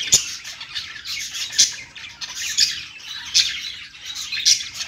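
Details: Budgerigars singing on a perch, a steady high twittering warble punctuated by sharp clicking squawks about every second.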